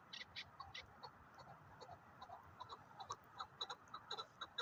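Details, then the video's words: Chukar partridge calling with a run of short, clucking chuk notes, about two a second, uneven in rhythm and moderately loud, over a faint steady hiss. "КАБКИ ШИКОРИ"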